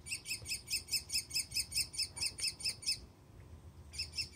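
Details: Mockingbird copying other sounds with a rapid, evenly spaced series of bright, layered chirps, about two per second, a brief pause, then the same chirp resuming over faint low background noise.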